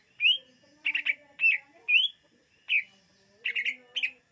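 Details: Greater green leafbird song for luring: separate bright chirps and rising whistled notes, some doubled, spaced roughly every half second with clear gaps.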